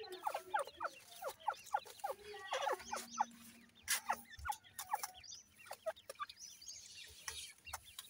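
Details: Grey francolin chicks during feeding give many short falling peeps and chirps amid frequent clicking taps, with a brief low hum in the middle.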